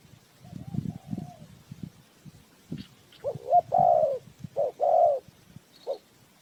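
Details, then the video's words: Spotted dove kept as a lure for trapping, a faint distant coo under low noise, then loud close coo phrases with a long falling note, and a brief high twitter from another bird. "The Sound Of Cuckoo Bird,เสียงนกเขาใหญ่,Bird Trap,Tiếng chim cu gáy mồi chuẩn gáy gọi cực hay"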